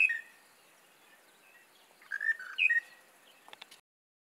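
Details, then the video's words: Early-morning song of a monotonous lark near Shingwedzi Camp, northern Kruger National Park: a brief whistled note, then after a pause a quick run of mellow whistles dipping and rising, followed by faint clicks. "Monotonous Lark singing early in the morning in the Kruger National Park"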